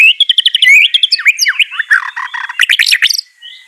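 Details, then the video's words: White-rumped shama song used to stir a lazy bird to respond: tumbling varied whistles and sharp downslurred notes in quick succession, a burst of high scratchy notes, then a thin fading whistle. "Murai Batu Malas BUNYI Pasti LANGSUNG NYAUT NARUNG dan GACOR"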